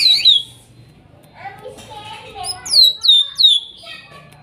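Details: Song of a greater green leafbird, forest-caught in Kuningan at trotol and nopeng stage, played to restart silent birds: an opening slurred whistle, a quiet lower warbling stretch, then three loud downslurred whistles near the end.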